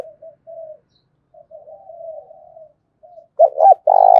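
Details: Spotted dove used as a lure with a fighting call: soft, low, wavering coos for most of the stretch, ending in two loud rising notes and the start of a long rough coo.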